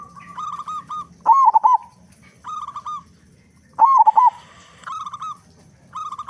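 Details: Local zebra dove, loud and vocal, singing as a lure to prompt other doves. Bursts of quick, trilled coos alternate with softer, level cooing notes, repeated every couple of seconds.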